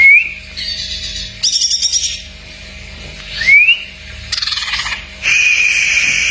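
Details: Cak ijo (greater green leafbird) masteran full isian: clean rising whistled slides, a held bright whistle, and two loud rapid rattling trills, separated by short pauses, over a quiet background hum.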